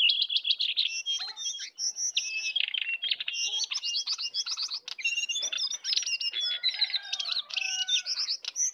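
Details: Sooty-headed bulbuls, a wild bird against a caged bird in a fierce singing duel, with full song; dense overlapping chirps and quick whistled notes, many falling and rising strokes, pouring out almost without pause.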